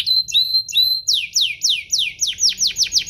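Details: Canary song played as a provocation for other canaries: clear whistled notes sliding between pitches, then a steady series of loud downward-sweeping notes about three per second.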